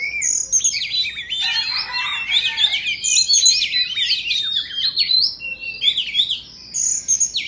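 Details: High, tumbling, continuous warbles and chirps come from an Indonesian Oriental magpie-robin singing as it dances, with brief pauses between bursts.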